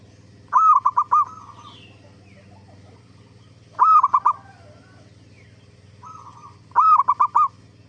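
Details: Lure song of a zebra dove, meant to make other zebra doves answer: three cooing phrases about three seconds apart, each a held note that breaks into a quick stuttering run, with softer coos between them and a steady low hum.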